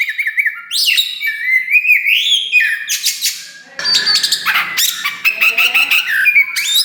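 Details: Kacer wulung (Oriental magpie-robin) in captivity, singing loudly to stir other birds: chattering whistled notes climbing in pitch, then scratchy buzzing bursts and a brief lull before quick bright whistles resume.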